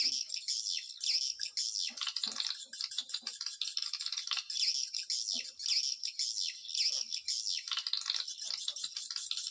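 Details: A Dara Nante style call for luring swiftlets: a continuous high rattling twitter with dense clicking texture that swells and dips in waves, with brief gaps.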